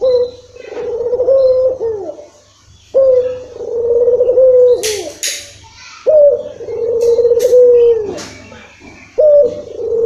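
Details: Barbary dove cooing, used to coax a silent bird into calling: four long, low, wavering coos about every three seconds, each ending with a falling slur, with a few clicks between them.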